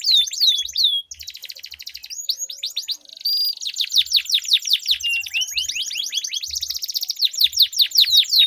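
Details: Two canaries trade long rolls as a lure to get stalled canaries singing; rapid sweeping notes overlap with buzzy rattling rolls, the song running almost without pause and rising in intensity.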